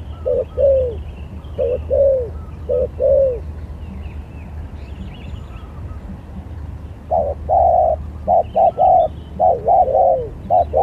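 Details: Spotted dove singing as a lure bird in a contest: paired short coos with falling tails, a pause of several seconds, then faster runs of clipped coos and a longer descending note, with faint higher bird chirps behind.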